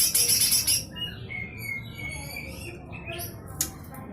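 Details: Lesser green leafbird (cucak hijau mini) delivering rough 'besetan kasar' song for training magpie-robins and shamas: opens with a loud quick burst of grating notes, then softer scattered whistles and chips over background hiss.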